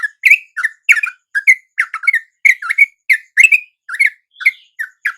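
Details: At dawn, a sooty-headed bulbul lure call pulls in wild birds: clear, liquid whistled notes, each bending up or down, repeated quickly and unevenly with short gaps.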